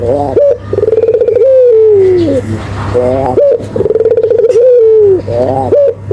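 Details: Vigorously calling Barbary dove, offered as a training and lure recording: repeated cycles of a sharp upward note, a throbbing rolled coo and a drawn-out descending tail, about three phrases, with constant low hum.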